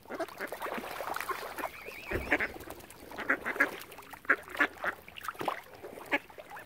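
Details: Ducks surrounding a family of swans at Oxford Island on Lough Neagh, Ireland, giving harsh nasal quacks in uneven clusters, one strong call near two seconds, then spaced single quacks to the end with lake chatter around.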